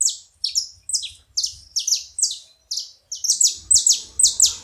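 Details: Several saffron finches with high, sharp chirps dropping in pitch, irregular at first then quickening into closely packed pairs, a little low background noise near the end.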